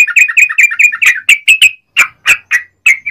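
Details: Yellow-vented bulbul singing energetically ('gacor'): quick paired bubbly notes, then slower, separate liquid chirps spaced about a quarter to half second apart.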